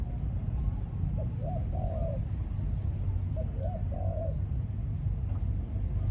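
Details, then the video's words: Faint coos from a captive male decoy spotted dove, Malaysian line, in breeding condition after ground-feeding sessions: two short rolling phrases, each a quick note and then a drawn-out falling coo, under heavy low hum. "Chim cu gáy mồi || Nọc Neymar dưỡng vài kèo ăn đất rồi vào chế độ Sinh Sản"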